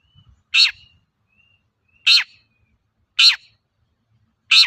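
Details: Harsh, buzzy shrieks from a long-tailed shrike, used to goad other shrikes into song; four short grating bursts arrive roughly every 1.2 seconds, with thin faint whistles in between over an otherwise quiet background.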